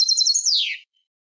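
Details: European goldfinch in Malaga-style song, a recording made for young birds to memorise: a bright, high tinkling trill of rapid notes ending in a quick downward slur, on a clean, silent background.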